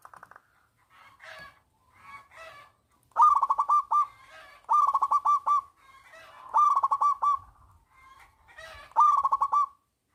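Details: Local zebra dove with a big voice, singing to lure reluctant doves into song: soft rough notes alternate with four loud, bubbling, rapidly pulsed cooing phrases about two seconds apart.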